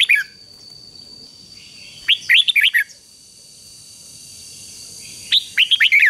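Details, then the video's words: Red-whiskered bulbul song used to train a wild-caught bird to sing. Three short bursts of quick, warbled, rising-and-falling notes come about three seconds apart over a steady high electronic whine, with faint background hiss. "luyện cho chào mào bổi hót"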